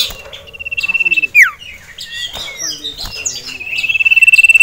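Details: Agitated caged male sirtu, stirred up by a rival male and a female, gives a rapid high pulsed trill, a sharp falling whistle, varied twittering notes, then a renewed fast buzzy trill.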